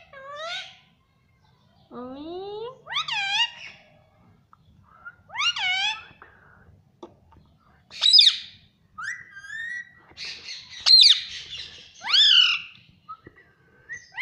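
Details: Pet parrot saying "mummy" over and over: a series of loud, harmonic, word-like calls, each sweeping upward then dropping, spaced one to two seconds apart, with brief squawky notes between.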